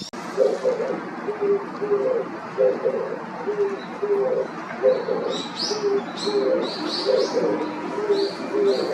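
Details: Oriental Turtle Dove singing in a familiar Japanese setting: low, soft cooing phrases around mid-low pitch repeated in a steady rhythm, roughly every second, with higher chirping of small birds in the background.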